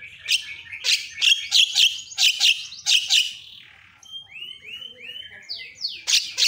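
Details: Javan myna answering a lure sound within seconds. Loud, harsh chattering bursts repeat about once a second, then give way to several descending whistled slurs and a few sharp squeaky notes at the end.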